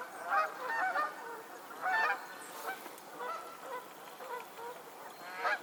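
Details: Flock of geese on a Pennsylvania lake, honking steadily: loud nasal honks overlap in quick succession, with the strongest bursts near the start and middle and a fresh burst at the end.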